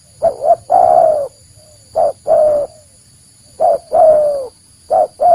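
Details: Spotted dove call used as a lure for snaring or hunting wild doves. Low, hollow coos come in three phrases, each a short note then a longer drawn-out, slightly falling note, about every 1.7 seconds. A faint steady high hum runs underneath.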